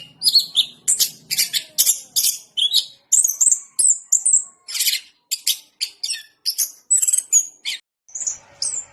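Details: Orange-headed thrush in loud, continuous song: a rapid chain of shrill whistles and scratchy chips, with a brief hiss of noise near the end.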